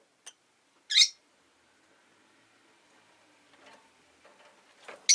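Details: Rosy-faced lovebirds, five in a cage near a window on a rainy day, give sparse sharp chirps while contesting perch spots. Soft rustles and faint town noise fill the gaps.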